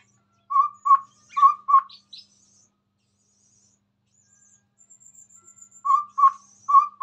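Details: Chestnut-rumped babbler in full song in front of a phone: low mellow paired whistles repeated about every half second, a few higher squeaky notes, a quiet gap, then the paired hoots resume.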